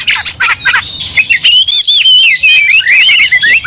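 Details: Agitated Oriental magpie-robin in fighting form opens with scratchy bursts, then runs into a quick, wavering whistled trill that rises and dips in rapid succession.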